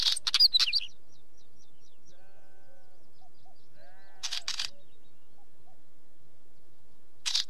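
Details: Wheatear giving two short, scratchy, rapid song phrases of clicks and high twisting whistles, about four seconds apart, with a faint low steady bleat-like tone between them and a third burst at the end.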